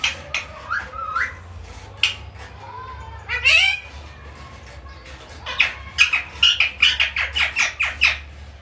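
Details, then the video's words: Talking parrot saying "mummy": squeaky, speech-like rising syllables in the first half, then a quick run of sharp chattering notes, with a low steady hum beneath. "mummy bolna wala mittu"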